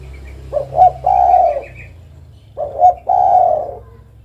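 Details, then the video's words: Spotted dove delivering two cooing phrases, each made of quick paired notes and then a prolonged, slightly falling coo. A steady low drone and faint higher twittering sound in the background. "suara burung derkuku"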